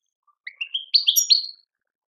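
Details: European goldfinch, Algerian tadmait song: a short phrase of soft, rising chirps building into louder, sweet twittering notes, lasting about one second.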